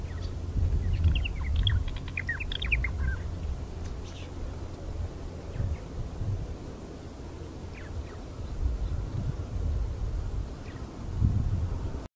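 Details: Purple martins on the Fraser River at Iona Beach, Richmond, BC, Canada, on 5 August 2018, give liquid, gurgling chirps in a quick burst for a few seconds, then scattered faint notes over a steady low wind rumble; song.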